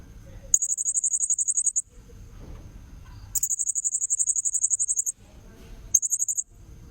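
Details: Blue-crowned hanging parrot lure call for trapping, given as long rapid trills of very high, evenly pulsed chirps, three bursts of different length separated by pauses with faint low rumble between.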